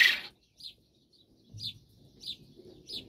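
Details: On a cold day, Japanese quail snuggled together for warmth give short, high chirps, four in about two and a half seconds, after an opening burst of scratchy noise.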